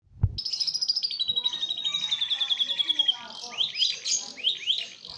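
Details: Domestic canary song imitating a lovebird, a fast dense delivery: a long rapid trill of high buzzy notes sliding downward, then quick repeated rising and falling chirps; a brief thump opens.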